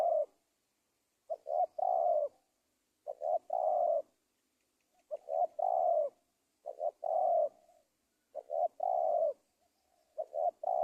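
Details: A spotted dove in Indonesia calls for use as a trapping lure, repeating a steady phrase of two short hoots and one long, gently descending coo, about six times in a row with short gaps.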